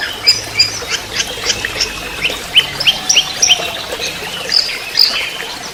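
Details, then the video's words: Orange-headed thrush in trotol style on a lure and master recording for training songbirds: sequence of short sharp chips and brief whistles, repeated roughly three per second, softer than the full song. "Anis merah TROTOL"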